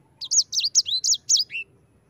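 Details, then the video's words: A sanger, or yellow-fronted canary, in brisk 'ngerol' song for training birds: six quick bright notes, each a high downward-curving whistle, ending on a lower falling slur. "Suara Burung Sanger EDEL SANGER NGEROL Ampuh untuk pancingan sanger cepat ngerol gacor"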